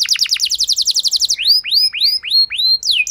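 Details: Canary lure song to get a hesitant canary to respond: very fast run of falling notes, then slower, widely spaced upward-arching whistled sweeps about three per second.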